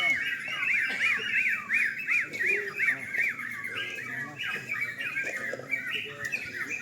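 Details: Yellow-vented bulbuls singing in a night contest, opening with a rapid run of rising-and-falling chirps repeated about twice a second, then a jumble of overlapping bubbly phrases from other birds; murmured voices underneath.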